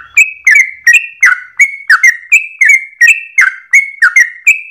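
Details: Yellow-vented bulbul performing an insistent, rapid song with a long breath, a style said to be easy for other birds to imitate: crisp, loud whistled notes with abrupt starts, paired in alternating high and lower pitches.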